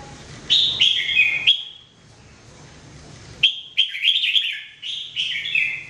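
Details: Red-whiskered bulbul (jambul) song used for daily training: two bursts of quick, fluty, downward-sliding notes separated by a pause of about two seconds, high-pitched and loud against a quiet backdrop.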